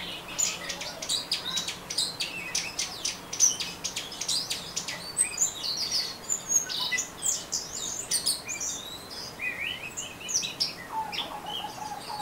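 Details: Orange-headed thrush in ngeriwik song, a long rambling stream of high twitters, squeaks and scratchy slides broken by many sharp clicks, with a lower descending phrase near the end.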